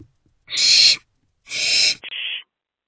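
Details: Three owlets in a nest box on 13 April 2024, after 1 am; two loud broad rasping hisses about a second apart, then a shorter thinner screech.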